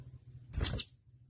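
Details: Blue-crowned hanging parrot, a male calling to a mate, giving one sharp, very high thin whistled note held about a quarter second, over faint low hum.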